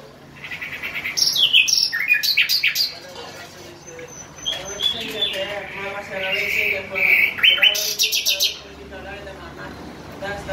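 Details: Bulbul singing clear whistled and chirped phrases in quick succession, while a person talks steadily underneath throughout.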